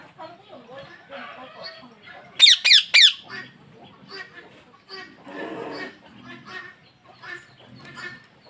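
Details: Pet parrot bursting into three harsh, downward-sweeping squawks in rapid succession midway, with quieter murmuring and chatter before and after.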